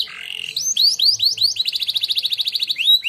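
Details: Canary that won a singing contest, heard in training song: a short buzzy opening, rising whistled slurs repeated about five times, then a fast even rolling trill and a final upward whistle.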